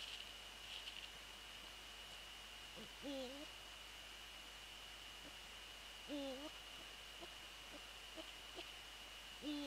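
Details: Calls of a Eurasian eagle-owl close to the nest on a January night during a prey transfer: three clear, kinked, slightly rising calls about three seconds apart, with faint softer notes between, against a constant high-pitched hum.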